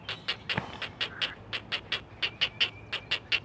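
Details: Four young great blue herons at a live-camera nest in the Chesapeake area call to their mother in quick, clipped, clacking pulses, about four per second, with a faint thin whistle running beneath.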